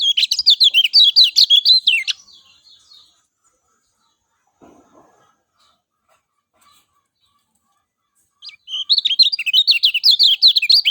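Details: Lemon-bellied white-eye singing to draw a quick response from other birds: two loud bursts of rapid, sharp twittering notes, about two seconds each, separated by several seconds of near silence.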